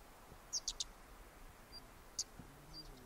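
Güldenstädt's redstart gives a quick run of three thin, very high notes, then a single note and a few faint ones after a pause; a quiet outdoor background.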